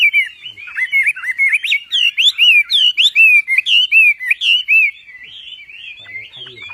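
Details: Javan pied starling song for training songbirds: a rapid sequence of bright, up-and-down slurred whistles, about two per second, ending in softer, quieter warbling.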